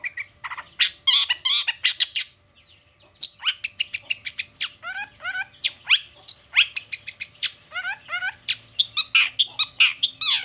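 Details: Long-tailed shrike in lively morning song: harsh clicks and chatters, a short pause, then fast strings of rapid notes, including repeated downslurred whistled phrases woven among raspy calls.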